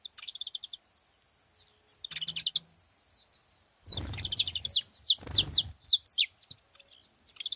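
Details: Saffron finches at a feeding spot: soft high twitters, then a burst of loud, steeply falling chip notes in rapid sequence, with a brief low rumble behind.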